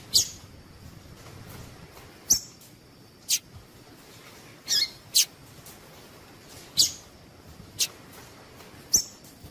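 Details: Female Double-collared seedeater giving calls meant to make males sing: a loose series of brief, piercing high chips, some doubled, roughly every one to two seconds, with faint background hiss.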